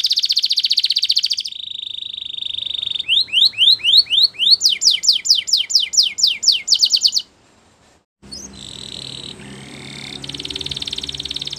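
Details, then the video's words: Morning song of a Belgian canary: a buzzy rapid trill, a level whistled tone, then quick rising sweeps in tight series, a short pause, and softer notes over faint background noise. "Belgian Canary Singing In The Morning"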